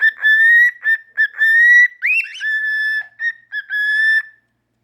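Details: Indoor pet cockatiel, one of a normal pied and albino pair, in its owner's hand: sustained, steady whistled notes broken into short phrases, one swooping upward note in the middle, clean and bright with no other sounds.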